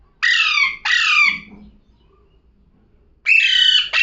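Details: Loud, raspy parrot squawks in quick pairs, each note sliding downward. A soft low murmur follows the first pair, then a pause before another pair starts.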